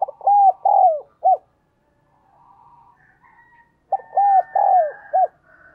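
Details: Spotted dove kept as a decoy, calling to draw in wild birds. Two full cooing phrases, each a quick series of clipped notes and a drawn-out downslurred coo ending in a short note, separated by a quiet gap with faint hum.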